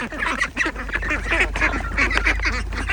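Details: Ducks and ducklings, a dense chorus of overlapping nasal quacks and honking calls, many birds calling at once with steady low rumble beneath.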